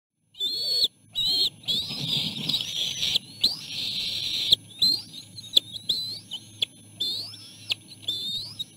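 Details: Bald eagle eaglets begging at the nest while their mother brings in food, with three siblings jostling to feed: high, thin whistled squeals, rising and wavering, in bursts with short gaps.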